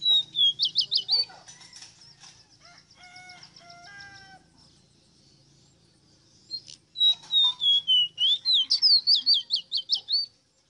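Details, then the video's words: Ruddy-breasted seedeater (ave rosita) sings two phrases of pure whistles that fall and then break into quick, repeated upslurred notes; between them come lower, harmonic, slurred calls and a soft flutter of noise. "CANTO DE AVE ROSITA"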